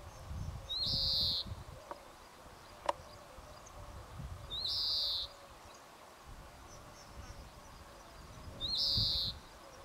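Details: European greenfinch in the Jordan Rift Valley, near Nahal Yissachar in the Valley of Springs, gives a drawn-out, buzzy, wheezing call three times, about every four seconds, over a low background rumble.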